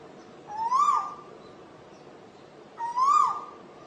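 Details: Asian koel calling: two loud, clear upslurred whistles, each rising then levelling off, spaced a little over two seconds apart, against a quiet background hiss.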